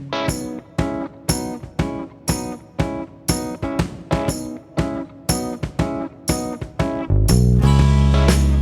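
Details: Acoustic guitar plucked and strummed in a steady rhythm of about two strokes a second, ending in a sustained louder strum; no animal voices.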